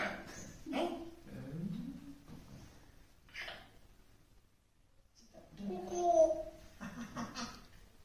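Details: African grey parrot talking in Tamil indoors, with soft, speech-like babbled syllables and short vowel-like phrases, a pause around the middle, then a louder burst of chatter with a brief higher tone.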